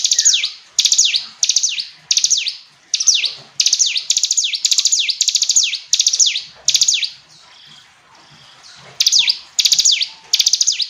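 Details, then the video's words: Loud, clear hill prinia song: repeated high descending whistled sweeps with ticking overtones, phrases roughly every second, broken by a short pause of about two seconds before the singing returns. "Ciblek gunung istimewa, hitungan detik dijamin langsung bunyi ‼️ jernih"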